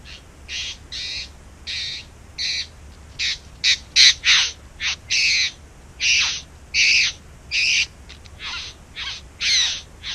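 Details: Bowerbird nesting in a back yard sings loudly: around fifteen coarse, squawking rasps and hisses, each under half a second, spaced irregularly, some run close together.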